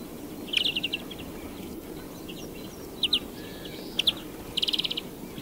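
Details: Twittering European greenfinch: a fast trill at the start, scattered paired chirps, then a closing rapid rattle of evenly repeated bright notes.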